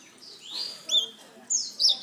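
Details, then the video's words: Black-throated canary with a few short, high, slurred whistles and chirps separated by brief pauses, in a faint, quiet room. "Burung Blackthroat: Kicauan Indah dari Afrika"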